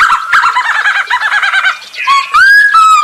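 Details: Masked laughingthrush in vigorous song, used as a lure to get other birds singing: a run of quick wavering whistled notes, then a short pause and a long, clear, slurred whistle with rising and falling pitch.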